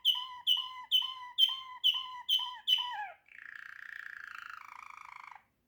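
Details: Waterslager canary song: seven deep, ringing notes repeated about twice a second, the last one slurring downward, followed by a long, buzzy, bubbling roll that holds steady and then fades.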